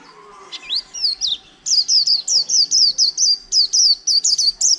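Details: Caged wild-caught white-eye, kept over a month, singing in the líu style: a fast series of bright, high, downslurred whistled notes, about a dozen in quick succession, with a few twisting phrases at the start.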